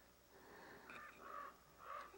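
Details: Common Raven parents, protecting fledglings, calling at dusk while harassing a bobcat: three hoarse, croaking caws spaced about half a second apart, fairly distant, over a faint hiss.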